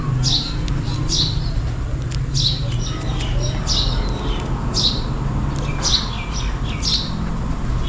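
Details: Sparrows chirping for food on a rainy day, repeating crisp high, downward-slurred chirps about once a second, often in pairs, over an even low background rumble.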